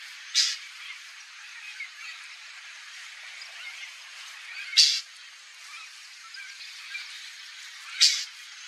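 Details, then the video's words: White-banded mockingbird (Mimus triurus) in Brazil calling: three short, harsh, high calls a few seconds apart, over a steady background hiss. "White-banded Mockingbird: calling!"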